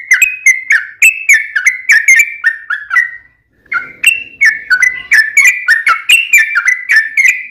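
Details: Yellow-vented bulbul song played as a lure to make other bulbuls sing, rapid lively whistled notes with sharp onsets, a brief pause midway, then a faster resumed run.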